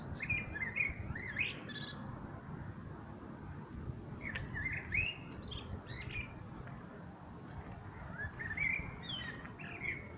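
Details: Common blackbird song, mellow warbled whistles in separated phrases with short twittering ends, against constant low background noise.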